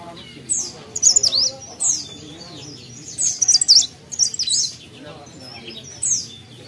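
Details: Short, sharp bursts of very high zigzag twittering from an actively singing mountain leaf warbler, coming every second or so, over a low background of faint voices.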